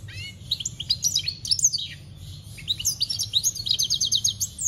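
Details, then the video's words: European goldfinch, campero style, recorded 2021: continuous rapid, tinkling twitter of high sliding notes, ending in a fast, evenly pulsed trill of repeated bright notes; faint low hum behind. "Goldfinch singing - Jilguero Cantando Campero - Chant Chardonneret"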